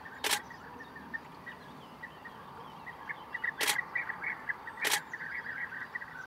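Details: Bee-eaters in France give soft, rolling, liquid calls, many overlapping in a steady chatter. Three sharp, loud clicks break in.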